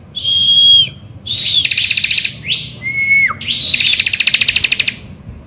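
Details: Bar-winged prinia singing energetically in the morning, a lure song to draw other birds into singing: a clear high whistle, then long buzzy rattling trills of rapid pulses, broken by a falling whistled slur.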